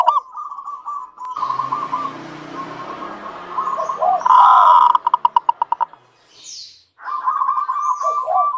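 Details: Local zebra dove song used to prompt other doves: level bubbling trills at start and end, with a rushing noise covering the middle and a series of sharp evenly spaced clicks.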